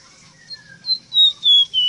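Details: Ruddy-breasted seedeater tutor song for teaching captive birds: soft low whistles give way to loud, clear, slightly descending whistled notes in quick succession near the end.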